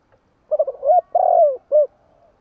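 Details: Tame lure spotted dove giving one clean cooing phrase: a rapid run of soft notes, a long loud coo falling in pitch, and a short closing note, with near silence around it.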